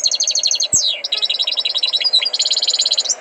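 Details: North African tutored goldfinch singing quick repeated high notes, broken by one sharp, steeply falling whistle. The song then resumes as fast, regular, tinkling trills.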